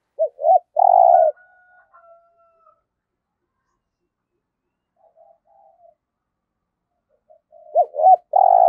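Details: Spotted dove kept as a decoy bird and used to lure wild doves for trapping, cooing in a low voice. Two short hooked notes lead into a longer, buzzy coo. The phrase is given twice, about seven seconds apart, with quiet between.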